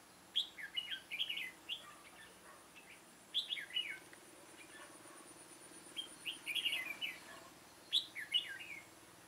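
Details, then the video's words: Red-whiskered bulbul, an old caged decoy bird used to lure wild birds into a trap on 9 September 2017, sings short warbled, chirpy phrases in bursts separated by pauses of about two to three seconds, with a faint steady high hiss behind. "Bẫy chào mào Lăng xăng ngày 9/9/2017 - mồi già trở lại"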